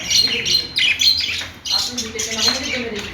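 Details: Budgies giving rapid high chirps and squeaky warbling notes in quick overlapping bursts, with a short pause midway before the chatter resumes.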